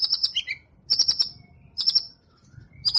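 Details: Champion competition white-rumped shama delivering tembakan phrases: three quick bursts of shrill, stuttering high chips, each with trailing thin whistles, spaced about a second apart against a quiet low background hum.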